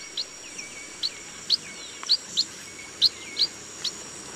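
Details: Chestnut munia calling in a rice field, a run of sharp high peeps, some doubled, coming about twice a second against a faint continuous high drone.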